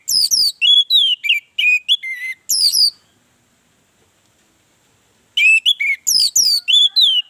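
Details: Orange-headed thrush song used as a lure to set other birds singing: loud, rich whistled phrases with rapid varied notes, a burst of about three seconds, a pause of silence, then another burst.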